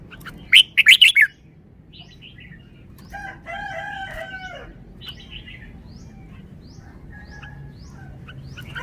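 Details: Red-whiskered bulbul in a cage delivering wild-style song phrasing: a sharp burst of four loud chirps, followed by quieter scattered notes and a lower, harmonic call from another bird.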